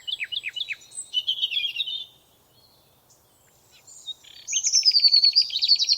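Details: Forest birds: a few sharp downslurred chirps and a scratchy warble, a short silence, then a fast, high, even trill with a thin whistled note running through it.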